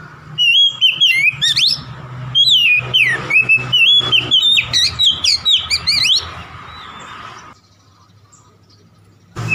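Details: Oriental magpie-robin singing to provoke a rival: rapid clear whistles and sharp rising sweeps in repeated bursts over a low hum, then a lull before a final loud note.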